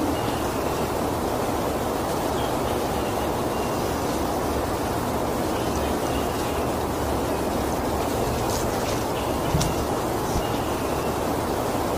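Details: A steady, dense rumble and hiss like a passing train or vehicle fills the whole stretch, with no clear animal calls.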